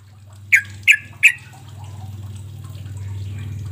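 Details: Sooty-headed bulbul lure call meant to make quiet birds answer: three loud, short harsh notes in quick succession near the start, followed by a steady low hum.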